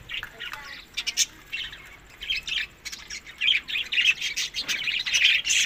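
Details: Budgies eating in summer, May to June, Larkana, Sindh; sparse chirps at first building into louder squeaky warbling and rapid chirping toward the end.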